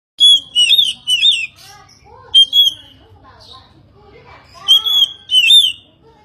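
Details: Oriental magpie-robin song: loud, harsh, strongly harmonic notes come in pairs of bursts near the start and again near the end, with softer, lower twittering and short whistled slurs in between. A faint low hum sits under everything.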